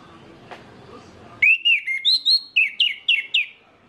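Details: Orange-headed thrush song used to stimulate others of its kind to sing: after a faint click and background hiss, about ten loud, crisp whistled notes rush by, each bending sharply up and down, in one continuous phrase.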